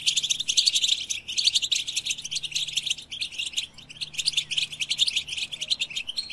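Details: Goldfinch singing in rapid bursts of tinkling, twittering notes and buzzy trills, high and bright, broken by short gaps around one and a quarter and three and a half seconds, then resuming in a dense liquid chatter.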